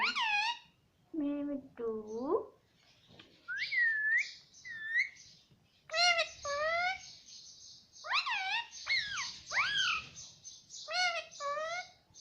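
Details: Indoor pet Indian ringneck parakeet mimicking speech, producing a long run of nasal, harmonic two-part phrases that rise and fall, repeated many times in quick bursts with short gaps.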